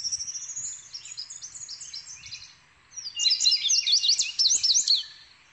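Indigo bunting singing high, sweet phrases of paired notes; a softer run fades out, then a louder burst of sharp, rapid doubled notes follows.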